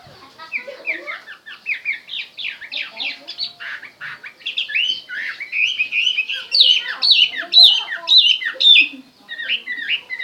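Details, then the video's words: Chinese hwamei in full song: rich, rapid sequences of slurred whistles and sharp notes, phrases swelling and pausing briefly, growing louder toward the end, with no other clear sounds. "chim hoa mi hot"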